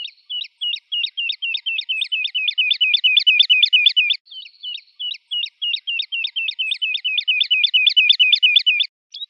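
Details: Woodlark song of long, rapid series of identical liquid notes, several per second, with a brief pause midway before the series starts again and swells in loudness.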